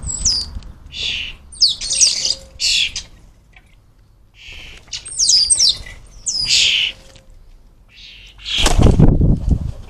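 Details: Common starling fledglings, 2023 season, making loud scratchy calls in clustered bursts with sharp descending whistles between them, brief quiet gaps, and a loud low thump near the end.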